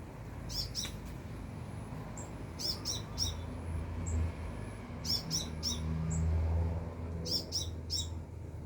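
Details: Sunbird about three meters overhead, singing in bursts of three or four sharp, very high chirps with short pauses between groups; a faint thin whistle runs beneath, over a low background rumble.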